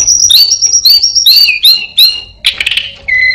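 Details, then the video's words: Orange-headed thrush in full mimicking song: high whistled notes linked in rapid slurred phrases, a burst of harsh noisy chatter, then a lower level whistle. "burung Anis binbin gacor isian perenjak,kucing,cirtu,dan burung lainya"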